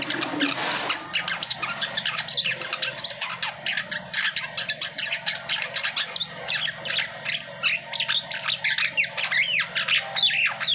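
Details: Asian pied starling after moulting, singing a dense, busy run of harsh chattering notes and short sharp chips that follow one another rapidly, with some rustling in the background.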